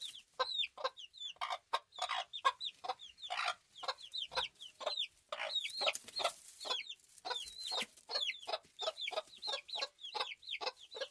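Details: Flock of farm chickens in continuous ambient chatter: dense, irregular runs of short throaty clucks and curled squeaky notes from many birds, with a few noisy rustling bursts midway.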